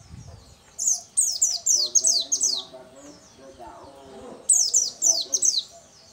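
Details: Vigorously singing local dakun Oriental white-eye: two long runs of quick, high, downward-sliding chirps, about six notes each, separated by a quiet gap filled with low dove cooing.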